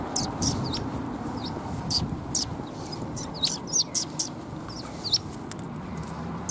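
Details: Several sparrows arriving to be fed at a Tenmangu shrine, recorded 14 March 2021, give bright high chirps and short slurred notes, scattered irregularly and sometimes overlapping, over a soft low rumble.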